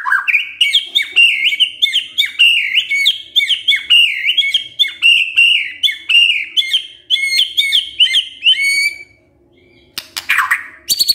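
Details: White-rumped shama pancingan song meant to make a quiet male start singing: rapid repeated looping whistled phrases for about nine seconds, then a pause and a harsh rasping burst.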